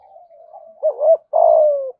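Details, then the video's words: Low soft murmuring from a spotted dove in Đồng Nai, Vietnam, building into one full thúc gù phrase in the thổ voice: a wavering double note, then a long, loud, steadily falling coo. "Chim cu gáy thúc gù giọng thổ bài bản nhất Đồng Nai"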